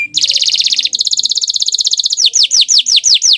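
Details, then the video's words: Bottle-green canary singing melodiously: a dense, rolling high trill held for about two seconds, then a series of loud, clear downward-sweeping whistles repeated roughly three times a second. "Suara Merdu Burung Kenari Hijau Botol"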